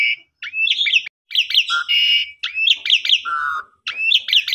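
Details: Asian pied starling singing in a phrase meant to prompt sulking, non-singing birds: dense chattering, swooping whistles and a held mid-pitched tone, delivered in quick bursts separated by short gaps.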